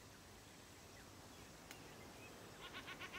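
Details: Common shelduck (Tadorna tadorna) at Izliv Soče nature reserve, 1 June 2023, giving a quick run of about five nasal, cackling notes near the end, over a steady background hiss.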